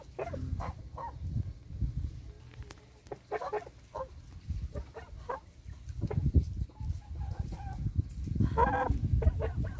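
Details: Tame geese, recorded 29 July 2022, giving short, harsh, nasal calls in scattered bursts, some grouped into quick runs near the start and again toward the end, over a constant heavy low rumble like wind or handling noise.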